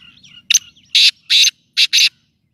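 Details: Black francolin call: a short series of harsh, loud buzzy notes, two then two more in quick pairs, after faint softer chatter.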